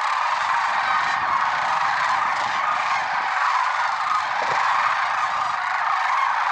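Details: Early morning flock of lesser sandhill cranes, Merced National Wildlife Refuge, February 6, 2023: continuous overlapping rolling calls and honks, a steady roar of many voices with no pauses.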